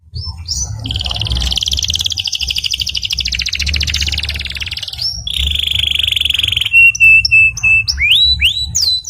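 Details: Canary song used as a master tutor recording: a fast buzzy rattle trill near 3–5k, then a steady whistled note, followed by sharp clear downslurred and upslurred notes; faint low hum underneath.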